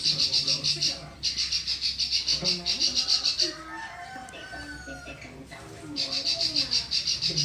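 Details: Klik-klik bird in full song, used as a tutoring recording for other birds: fast, high, evenly repeated ticking notes in steady trains. One pause in the middle leaves low murmuring and background sounds before the rapid clicking resumes.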